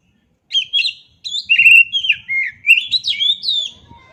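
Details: Continuous varied song of an oriental magpie-robin: clear whistles and short slurred phrases rising and falling, with faint low rustling underneath.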